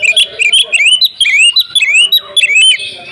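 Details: Fighting song of an Oriental magpie-robin, agitated and insistent: a dense run of rapid whistled slurs and chattering notes, rising sweeps and high squeaks packed together with barely a pause.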